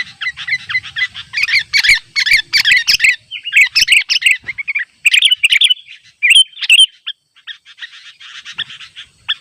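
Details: Sooty-headed bulbul calling rivals in the wild beside a trap: clustered, gurgling chirps come in quick bursts, then softer scattered notes trail off toward the end.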